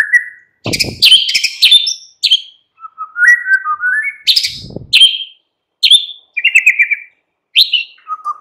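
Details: Murai batu lure song for an afternoon session to make a caged bird sing along: a fast mix of harsh buzzy bursts, sliding mellow whistles and short rapid trills, repeated phrases separated by brief silences.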